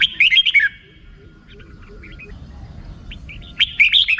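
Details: Red-whiskered bulbul in 'rik' song style: a fast phrase of warbled chirps, a quiet pause with soft distant notes, then a second lively phrase.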